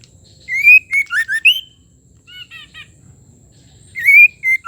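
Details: Calling female white-rumped shama, used to push a male into singing: a loud rising whistle and quick slurred notes, a softer chattering trio, then the rising whistle phrase again.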